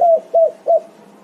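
A spotted dove gives three short, soft, low coos in quick succession, each about a fifth of a second, evenly spaced.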